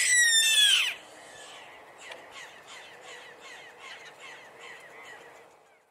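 A chimango caracara gives one loud, harsh, falling scream, followed by a quieter run of short descending squeals, about two or three each second.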